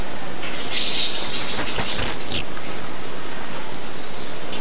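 A Bananaquit gives a thin, very high, hissing buzzy jumble of notes lasting about two seconds, over faint low background rumble.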